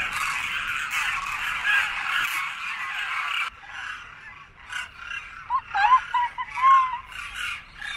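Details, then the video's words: Winter flock of Demoiselle Cranes at a grain feeding site in Khichan village, Rajasthan, circling overhead after feeding; dense overlapping trumpeting calls for three seconds, then quieter scattered calls with brief rising notes and background voices. "Cacophony of Cranes seen en masse at Pakshi Chugga Ghar in Khichan village Rajasthan"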